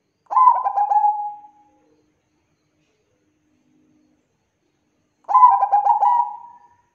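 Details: Two song phrases from a Bangkok zebra dove, used to lure other doves into singing. Each is a rapid bubbling run of coos that ends in a drawn-out note, with about four seconds of silence between them.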